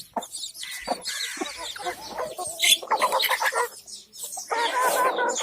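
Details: Hen with her baby chicks; rapid runs of throaty clucks, roughly three per second, blend with loud high-pitched chick peeps, with brief pauses between bursts.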